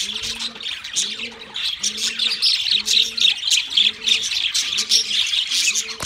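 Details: Pet budgerigars in full song, a group warbling in a rapid jumble of high chirps and squeaks, with soft low hooting notes repeating about once a second beneath them.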